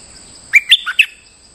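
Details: Bulbul in moult still singing its lure song: a short, loud phrase of four sweet whistled notes that step up, drop to a lower note, then rise again, with a faint persistent high tone.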